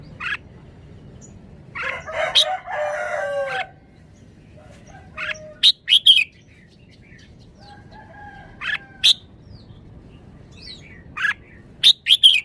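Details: Caged red-whiskered bulbul in Thailand showing its wild-style song phrasing: short bright whistled notes in brief bursts, a few richer warbled phrases near the start, with long quiet pauses between phrases.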